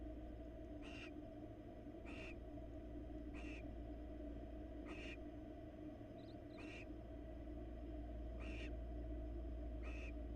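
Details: Barn owl nestlings and parents in Florida as the female brings a rat and interacts with the male; short harsh hisses repeated about every one to two seconds over a constant low hum.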